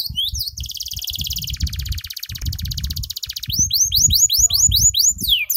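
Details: Caged canary trained with Java sparrow song, singing a fast, high, varied song: rapid metallic trills, then a run of sweeping whistled notes repeated about twice a second, over low thumping background knocks.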